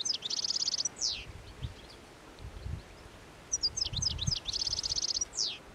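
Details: Hungry European goldfinches feeding avidly on plane tree seed balls at the Anapodaris river in midwinter, 17 January 2021: two bursts of high, tinkling twitters with rapid buzzy trills and down-slurred notes, a quieter gap between them holding low rustling.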